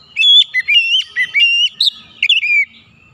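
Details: Continuous phrase of oriental magpie-robin song, used as therapy to make stressed birds sing: a quick run of rich, whistled notes dipping and rising, ending in a descending slur.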